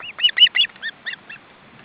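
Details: Nest of ospreys, three young fed fish by their parents in windy weather; a few quick, high, piping chirps, some double-toned, then softer spaced notes dying away.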